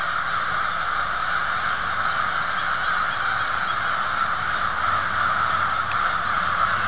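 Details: Large crowd of crows calling together on a foggy, warm morning; harsh caws overlap into a dense, unbroken roar with no pauses, steady in loudness throughout.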